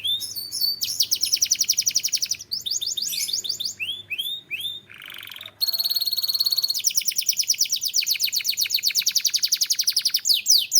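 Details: Türkiye canary pouring out a long varied song: rapid buzzy trills, rounded whistled swoops, a brief harsher lower phrase, then an extended high rattling roll of very fast repeated notes.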